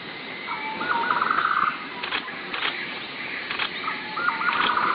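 Two soft, bubbling trills, each opening with a single note and then running quickly at a mid pitch, about three seconds apart, with a few sharp knocks between them.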